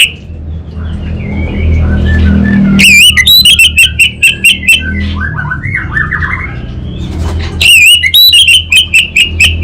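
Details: Orange-headed thrush (anis bata), North Bali, singing energetically: soft wavering whistles give way to loud, rapid strings of sharp, ringing notes, then a subdued warbled passage and another loud rapid burst.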